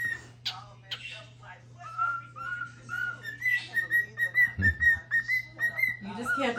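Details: A male pet cockatiel singing eagerly one Christmas morning whistles a run of clear, slightly rising notes, repeated quickly like a little tune.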